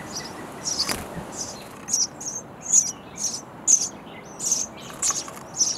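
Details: Sparrow nestlings chirping for food in a bird house nest; a soft thump early on, then quick, high, scratchy chirps repeated two or three times a second.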